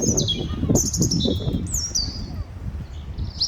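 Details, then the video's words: Seagulls fighting for food: loud, piercing drawn-out squeals sliding downward, repeated a few times, over heavy low-pitched rumbling noise. "Seagulls Fighting Over Food and Making Noises"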